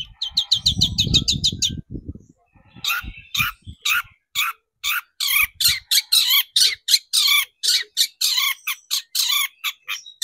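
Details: ['Long-tailed shrike lure recording meant to excite shrikes into singing: after a burst of low rumbling noise, a long run of harsh, buzzy high notes repeated rapidly and unevenly.']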